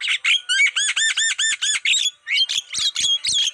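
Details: Black-winged starling song used as a lure to attract wild birds: a fast series of about eight clear arched whistled notes, then sharper chirps and squeaky rising whistles to the end.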